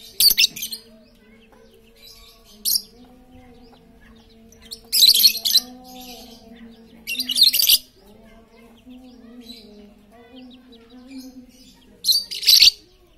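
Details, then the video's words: Very vocal lovebird used to stir silent lovebirds into singing: repeated shrill, raspy screech bursts at irregular intervals over about thirteen seconds, with a steady low humming drone throughout. "Pancingan Lovebird super cerewet untuk memancing Lovebird diam jadi fikter"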